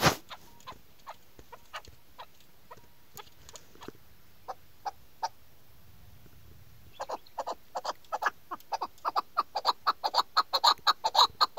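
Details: A chukar partridge, described as a female, gives scattered sharp clucking notes, then a quickening run of harsh chuck notes, about two a second, that grows louder toward the end.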